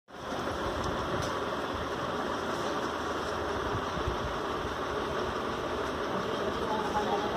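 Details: Continuous idling engine rumble with steady broadband hiss throughout and no animal calls.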